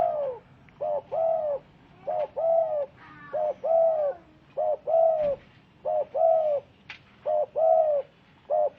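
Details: Spotted dove (tekukur) giving soft, low cooing calls, paired short and longer hollow coos repeated steadily about every second, with a faint background hum.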